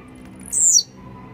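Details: A single sharp song phrase from a Blue-black grassquit described as warmed-up and grumpy: a high, buzzy note sliding quickly downward, with a quiet low hum behind it.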